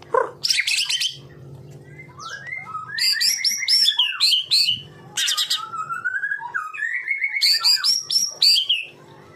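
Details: White-rumped shama, a real bird, delivering fierce 'tembakan' song for training other birds: bursts of ringing high whistles, rapid stacked notes and wavering slurs separated by brief pauses, with a constant low hum in the background.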